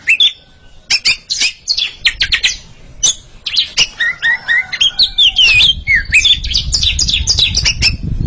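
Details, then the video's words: Two Oriental magpie-robins competing in song, giving sharp clicks and chips that build into a dense, fast stream of varied whistles, with low rumbling noise in the background. "Sepasang kacer sedang beradu kicauan"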